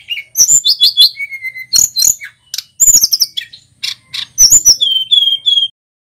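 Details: Local male Tledekan Gunung singing a lively song meant to stimulate other songbirds. Rapid high chirps and descending whistles come in dense bursts, and a long steady whistle near the end gradually falls slightly.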